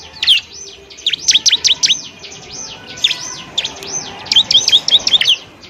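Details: Song of a bar-winged prinia, kept as masteran material for training birds: arched whistled notes alternating with quick rattling chirp runs, around two to three notes per second, high and thin.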